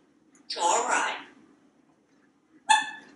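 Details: A pet African grey parrot indoors in a Texas home, talking from a kitchen faucet: a hoarse, speech-like phrase lasting under a second, then a short sharp squawk after a pause.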